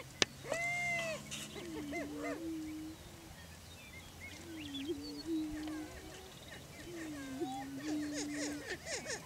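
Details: Greater prairie chickens displaying for breeding territory on a Washington County, Kansas lek: a sharp click opens, then scattered low moaning tones and bursts of arched cackles from several birds, quieter between bouts.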